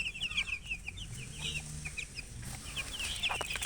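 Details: Baby chicks, thirsty for water, peeping in a busy, overlapping stream of short high notes over a steady background hum and rustling.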